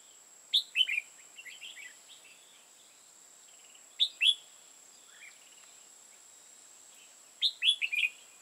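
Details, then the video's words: During trapping in Hòa Bình, Vietnam, a red-whiskered bulbul gives three bursts of clear, lively warbling notes, each lasting under a second and spaced a few seconds apart. Softer chirps fall between them, over a constant high whine. "Bẫy chào mào hòa bình"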